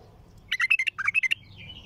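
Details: One short, dense phrase of about nine quick, sharp chirps from a bulbul with a strong, raw, heavy-throated song, then a faint thin trailing whistle.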